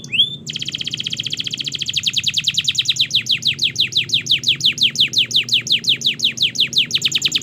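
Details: Canary in long, vigorous training song used to teach canaries to sing: a rapid trill of descending sweeps, very fast at first, then steadier at about two notes per second, high and bright throughout.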